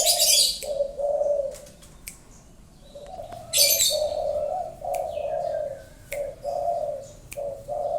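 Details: Spotted dove, a top caller, cooing in low hollow phrases with short gaps, accompanied by bursts of loud high-pitched chirping from other birds.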